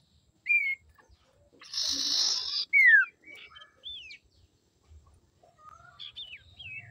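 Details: Female common iora singing as a lure to provoke males. Short falling whistles and hooked notes are spaced through the recording. Harsh buzzy bursts and scattered soft chirps come between them.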